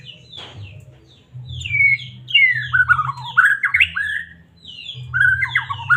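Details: Captive white-rumped shama from Medan, its singing meant to provoke other shamas: after a short pause, a burst of loud, fast, varied whistles and slurred notes runs on, with a low background hum.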